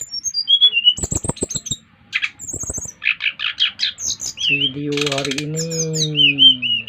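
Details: Brown-chested jungle flycatcher from Bali singing to draw other birds into singing: high falling whistles and buzzy notes, interrupted by rattling clicks, with a human voice speaking in the background toward the end.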